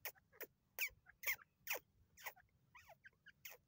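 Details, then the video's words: Partridge in grass giving harsh, broadband call notes: short rasping bursts repeated irregularly about twice a second, with a few fainter, higher chirping notes slipped between them. "teetar ki awaz voice sounds"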